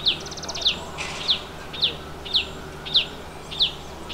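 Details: At a nest hole in Himalayan forest, a chestnut-bellied nuthatch gives a steady series of short, piercing downslurred notes roughly every half second, opening with a quick buzzy rattle.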